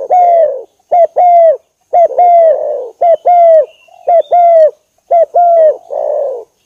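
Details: Spotted dove lure call used to attract birds; clear, low cooing phrases, each a short note followed by a longer level coo, repeated about once a second in a steady rhythm.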